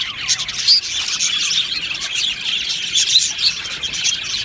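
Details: A budgerigar colony in an aviary chatters steadily, high scratchy chirps and quick whistles overlapping, with a few bright clear notes popping out above the crowd.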